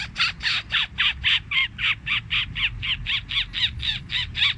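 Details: Fantail sound used to lure birds for trapping, phone recording cleaned of noise: a steady run of rasping, buzzy chattering notes repeated about four times a second throughout.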